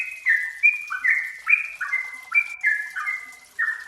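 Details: Yellow-vented bulbul singing in lure audio meant to make another bird sing: bright, bubbly notes in quick succession, each one slurring downward before the next starts higher.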